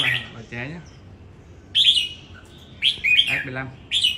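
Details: Red-whiskered bulbul at a singing competition in Đồng Nai, Vietnam, delivering short bright chirpy whistled phrases in three bursts, while people talk nearby between and under the phrases.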